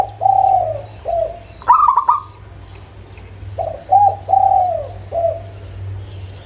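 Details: Zebra dove of the local type, used to prompt other birds into song: mellow, level coos interrupted by one sharp stuttering burst of higher notes, followed by a run of four smooth, slightly falling coos.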